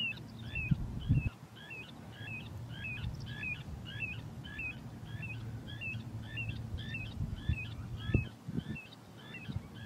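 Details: Little Ringed Plover at the Rhine mouth on Lake Constance, whistling especially in flight: short, high, slightly falling whistles, about two per second, over low wind rumble and a few thumps.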